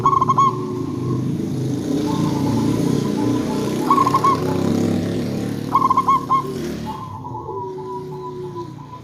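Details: Local zebra dove used as a lure to make other zebra doves call back, singing actively: quick bursts of stuttering cooing notes, three phrases heard over loud rumbling traffic noise and a steady background hum.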